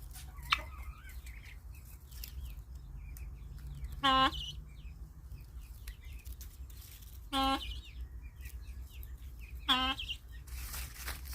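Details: Guineafowl described as happy gives three loud, isolated harsh notes several seconds apart over steady background noise, with faint chirps of other birds.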